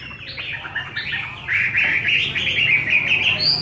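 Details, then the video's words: Chinese hwamei with a wild-type voice, fed homemade bird feed: a run of rapid slurred whistled notes around a high pitch, growing louder and fuller halfway through, delivered about three per second with varied phrasing. "Họa mi giọng rừng"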